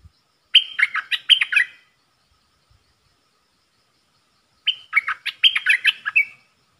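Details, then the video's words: Bulbul kept in a cage, trading songs with wild birds on 3 October 2021: two quick bubbly phrases of clear, looping whistled notes with a long quiet gap between them. "เสียงนกกรงดอกแตงEp.82 ดวลเพลงกับนกป่า!!Birds sounds"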